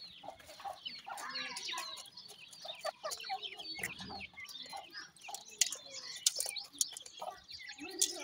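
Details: Several grey francolin chicks keep up continuous high chirping, with thin rising and falling peeps and short trills overlapping, plus sharp clicks and scratching sounds mixed in.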